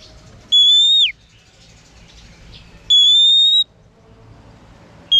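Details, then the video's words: Female oriental magpie-robin singing to excite males: long, steady, piercing whistles, the first dropping sharply at its end, the second held level, a third just beginning. "Choè than mái kích trống hay nhất."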